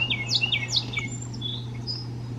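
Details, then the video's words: Male Carolina Wren sings the classic 'teacher teacher teacher' song: three quick, loud, down-slurred whistled phrases in under a second, then softer chips, over a low steady hum. "Carolina Wren Song Teacher Teacher Teacher"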